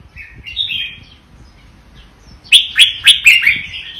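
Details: Vietnamese red-whiskered bulbul in 'double' singing: a brief soft warble, a pause, then a loud burst of four or five punchy, clipped whistled notes ending in a bright trill.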